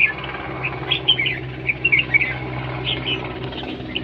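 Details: Red-whiskered bulbul in a singing competition, style called siêng ché; short bright chirped and whistled notes come in loose clusters through the clip over a steady low hum and background noise.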